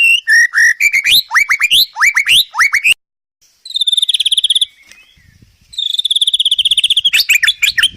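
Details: White-rumped shama training song packed with fillers: loud rising whistled notes repeated quickly, a silent gap, a high insect-like buzzing trill, then a final jumble of sharp chirps.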